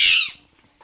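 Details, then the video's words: A pet Alexandrine parakeet, having fun indoors, gives one harsh crackling burst of about a third of a second, then falls quiet apart from faint room noise. "having fun and making crackling sounds"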